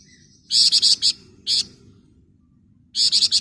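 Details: Flamboyan bird singing in the ngebren rapat nyerecet style: a burst of five harsh, buzzy, high-pitched notes in quick succession, one lone buzzy note, a pause, then another fast rattled burst of five notes over a faint low background hum.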